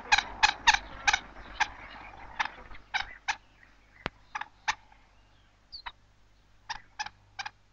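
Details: A Greater Honeyguide gives its dry, resinous chattering rattles in short bursts about every half second, used to lead a honey badger to a wild beehive, growing more excited as the hive nears at the forest edge; a faint low hum underneath.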